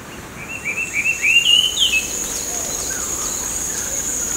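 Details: Feral Chinese hwamei, a descendant of escaped or released cage birds, in a Japanese park with ducks and coots, giving a quick run of clear, rising whistles under two seconds over a steady high insect drone.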